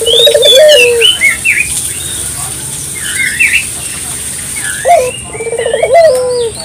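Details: Local collared dove used as a lure, rolled trembling coos opening and closing the passage, with thin rising whistles and chirps of other small birds filling the gap between them.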